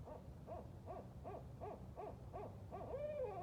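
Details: Several Barred Owls at night, flying and caterwauling together: evenly spaced arched hooting notes roughly every 0.4 seconds, ending in a loud descending wail, over a low background rumble.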